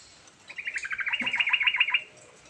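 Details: Chatty sooty-headed bulbul delivering a rolling song meant to prompt a quiet bulbul to sing: one bright, rapid trill of about fifteen quick notes over a second and a half, rising slightly in loudness toward the end.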